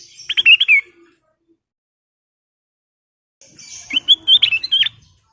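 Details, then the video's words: Sooty-headed bulbul (kutilang emas) full song meant as a lure for other birds: a quick bubbling phrase of clear whistled notes, a silence of over two seconds, then a longer run of lively chirped and warbled notes. "Kicau Burung Kutilang Emas full isian"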